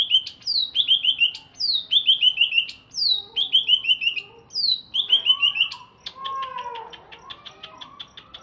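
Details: Greater green leafbird from Alas Purwo, Banyuwangi, kept in captivity, singing just after bathing: repeated descending whistled trills about once a second, followed by rapid chips and softer lower slurred notes.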